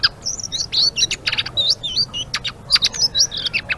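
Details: Blue-winged leafbird (selendang biru) singing in the busy gacor ngeriwik style, delivering quick high twittering phrases, looping whistled slurs and sharp clicks interspersed with brief scratchy bursts, a continuous rapid chatter.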